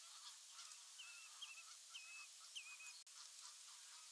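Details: Terek sandpiper staying for several days at Landje van Gruijters, recorded 30 May 2013: four short, clear whistled notes, each a quick rising slur that levels off, spaced about half a second apart over steady hiss, with lower calls from other birds.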